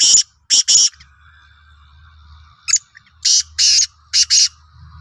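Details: Sindhi black francolin (kala teetar) calling, recorded 16/03/2023: harsh, grating bursts in an uneven series, two or three close together, then a pause and four more scratchy notes, with a faint low hum underneath.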